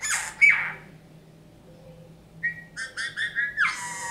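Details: Eurasian bullfinch kept indoors after rescue, singing folk tunes it learned: a creaky opening note, a pause, then a piped whistle and a rapid series of rhythmic squeaky notes.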